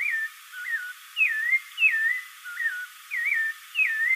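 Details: Spectacled Thrush (caraxué, sabiá-de-óculos) singing a run of short, clear whistled phrases, each a quick slurred up-and-down note, given about every half second against a quiet background.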